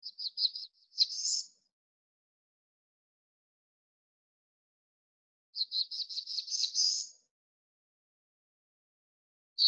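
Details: Black-throated blue warbler in hardwood and mixed-wood forest at about 1,500 feet on Mt Abraham, western Maine, sings two buzzy high phrases of short notes ending in a drawn-out upslurred buzz, about five seconds apart.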